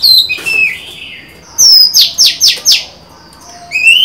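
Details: Female Oriental magpie-robin, recorded 23 July 2020, singing to draw in a male. A long slurred whistle is followed by a burst of four quick, loud, downward-sweeping notes, then a rising whistle.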